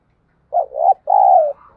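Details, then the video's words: At first light, a spotted dove gives low cooing notes: two short wavering coos, then one long even coo trailing off softly, in a quiet setting. "Tiếng chim cu gáy thúc gù và gáy gọi lúc tờ mờ sáng"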